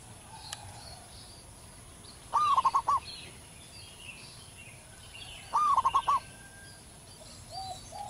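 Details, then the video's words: In the wild, a local zebra dove sings loud, long phrases. Two bursts of quick, bubbling coos, each opening with an upward glide, arrive about three seconds apart. A quieter lower coo near the end and faint high bird notes behind. "perkutut lokal manggung gacor di alam liar suara besar"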